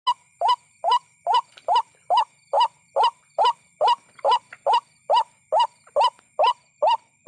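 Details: White-breasted waterhen calling at night, used in night-time bird hunting and trapping: a steady series of short, rising, nasal kwak notes, about two per second, very regular, over a constant high insect-like whine.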